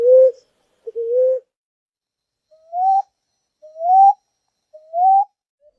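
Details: Ground dove song, a commonly seen bird: two low level coos followed by three gently rising, whistled coo notes repeated about once a second, clean and unaccompanied.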